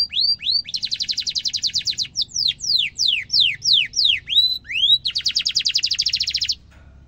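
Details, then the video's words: Canary giving long rolled song for teaching young and adult canaries: upslurred notes, a sustained rapid trill, a series of falling and rising whistles, then another long fast roll. "kenari gacor ngeroll panjang cengkok mewah efektif untuk masteran burung kenari muda dan dewasa"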